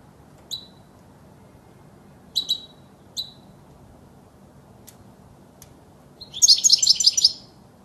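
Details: European goldfinch, a recording used to teach young birds to sing: scattered sharp high call notes at intervals, ending in a burst of quick twittering trills.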